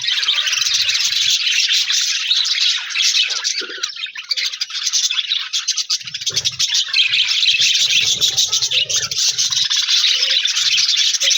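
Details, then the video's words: Budgies, the Australian parrot, chirping with a new budgie friend in an aviary colony, January 4, 2026: dense continuous chattering warble of many overlapping bright chirps, with faint low knocks in places. "Budigs Sounds Chirping with new Budigs Friend"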